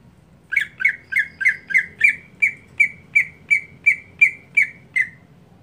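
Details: Greater green leafbird in its monotonous everyday song: a steady run of about twelve squawky, slightly falling notes near the same pitch, roughly three per second, over a low background hum.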